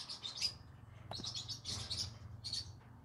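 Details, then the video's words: Green-cheeked conure singing in the evening: high chirps and squeaky notes in short bursts, with a steady low hum beneath. "come hear me sing together Green Cheek Conure Parrot Bird"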